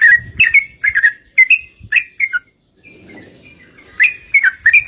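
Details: Yellow-vented bulbul song in fast fighting style, meant to lure other bulbuls into answering: bursts of sharp bubbly chirps, a short pause with faint rustling, then another quick chattering phrase.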